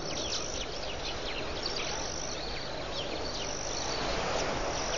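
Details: Hundreds or thousands of red-billed queleas swarming above the water at Pete's Pond, Mashatu Game Reserve, Botswana, on 31 October 2015 make a dense, unbroken chattering roar of short chirps over a low rumble and thin high hiss.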